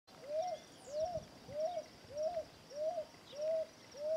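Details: Dove singing: a steady series of short, soft, arched hooting notes, seven in four seconds at a fairly even pace, over a constant background hiss.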